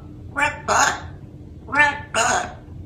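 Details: A baby African grey parrot says a two-word phrase ("red butt") twice, about a second and a half apart, in a clear human-like voice over a low hum.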